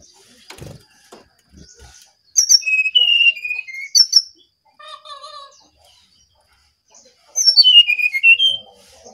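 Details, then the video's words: Brown-chested jungle flycatcher singing actively, with pauses between phrases: bright whistled notes stepping downward, a brief high flourish, quieter lower trills, then a final run of high descending whistled slurs; a few soft clicks early on. "Sinkatan rimba dada coklat (SRDC) Bali Gacor"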